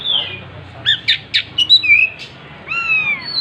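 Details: Oriental magpie-robin singing with its tail spread: a fast string of harsh clipped notes, then sweet sliding whistles, ending on a drawn-out falling whistle, with faint low hum behind.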